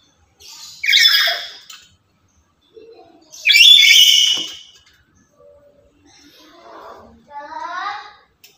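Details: A noisy, lively lory, kept as a decoy and model for other lories, gives two loud grating screeches a few seconds apart, followed by softer chattering and a short series of rising notes.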